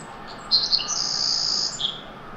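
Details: A wild male Savannah sparrow on a Bay of Fundy island sings a learned song that closely matches a playback stimulus: faint ticks, then a long, very high, thin, insect-like buzzy trill ending in a short lower note.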